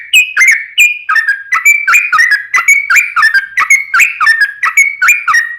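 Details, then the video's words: Yellow-vented bulbul in an extended 'ropel panjang' song used to lure other bulbuls into song. A dense, unbroken run of gurgling, whistled notes rises and falls, with crisp high accents throughout. "trucukan gacor ROPEL PANJANG buat pancingan trucukan agar bunyi JADIKAN burung trucuk gacor SEKETIKA"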